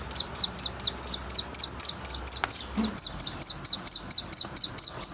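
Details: ['Young black francolin giving rapid, piercing peeps, roughly four per second and about twenty-one in total, with a single sharp click and a brief low thump partway through.']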